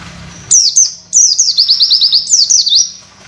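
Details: Oriental white-eye giving 'witwit' training material for other birds: high, rapid twitter of short downward-slurred notes strung into a quick run, with brief pauses.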